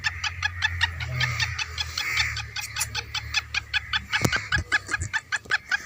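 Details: Black francolin kept in a cage, vocal after a dust bath in an orchard on a clear day at about 2:30 pm; rapid, grating pulses in an uneven series over a low background rumble, with a few louder knocks.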